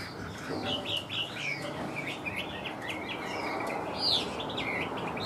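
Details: Chinese hwamei kept as a cage bird, singing short varied whistled phrases with quick slurred notes. One brighter, higher note stands out near the end over a constant background hiss.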